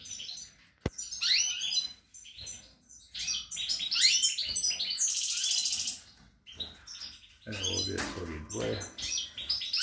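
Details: Pied goldfinch by its nest of four chicks, 28 March 2020: a long run of quick, jangling twitters and a sustained buzzy trill, broken near the end by loud clattering handling noise. A man speaks close by beforehand.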